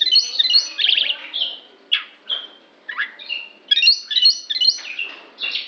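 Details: Oriental magpie-robin making an unusual sound: high, rapid phrases of squeaky whistles and buzzy trills, interrupted by short sharp downslurred notes and brief pauses.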